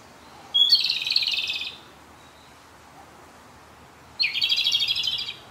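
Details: In a shaded field where it lingered six days, a Japanese robin sings its departing-day song: two dense, rattling trills a little over a second long, spaced roughly three and a half seconds apart.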